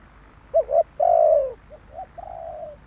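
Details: Spotted dove call used as a lure to attract wild doves: two short rising coos followed by a long, drawn-out descending coo, then a softer repeat of the same short-short-long pattern.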